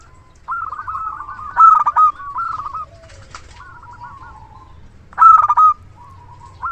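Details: Active local zebra dove with a big voice, used as a luring decoy: a long run of trilled coos with a loud burst, a soft flutter, quieter rolled notes, then another loud staccato burst.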